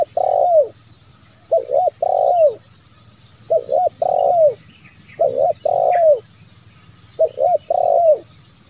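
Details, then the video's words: Spotted dove lure call for bringing on wild doves that are slow to call, in the style known as 'bero kuk, one lambung kuk'. Four low three-part phrases come about every two seconds, each a short double coo and then a long rolling coo that falls away. Faint other birds sound in the background. "SUARA PIKAT TERKUKUR SI BERO KUK 1 LAMBUNG KUK"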